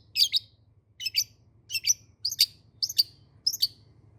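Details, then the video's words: Long-tailed shrike, called cendet, singing: six sharp, harsh chattering bursts spaced about every half second, each a tight cluster of high notes, with a steady low hum underneath. "Pentet ngacir"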